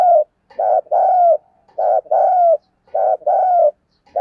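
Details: Spotted dove urging a fight: steady paired coos, a short note then a longer falling one, repeated about every 1.2 seconds, loud and clean.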